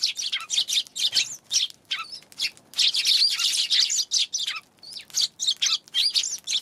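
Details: Eurasian tree sparrows recorded on 11 January, giving a dense, continuous run of bright, high chirps in quick bursts, several birds calling over one another with only brief pauses.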